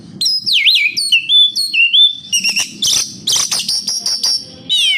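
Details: Oriental magpie-robin (kacer) song meant as a lure for kept birds: sharp swooping whistles in a fast sequence, then a dense run of harsh, buzzy high notes and clicks, ending on a falling whistled slur.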